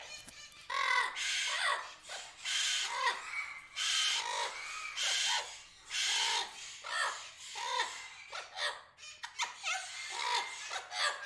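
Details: A Sulphur-crested Cockatoo visiting an Australian backyard in the afternoon gives harsh, raspy screeches, about a dozen loud bursts over eleven seconds, some drawn out and others clipped, with overlapping callers and little else heard.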